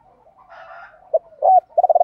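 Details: Spotted dove calls for stimulating trained birds to coo: after a soft low murmur come short hollow coo notes and a quick stuttering run of low pulses.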